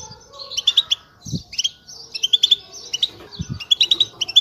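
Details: Several European goldfinches twittering together, a group chatter used to excite pairs and stir silent birds to sing; bright, rapid, tinkling notes in short bursts with brief pauses, and a few low dull thumps.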